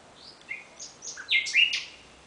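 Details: Nocturnal song of a common nightingale: soft high notes build to several loud, chirping, downward-sliding notes with a buzzy edge, over a quiet background.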